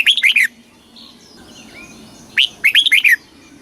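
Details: Red-whiskered bulbul song in the southern master style, played to excite caged birds and teach young birds: two bursts of bright, quick, warbled notes, several rapidly slurred phrases each, separated by a quiet pause.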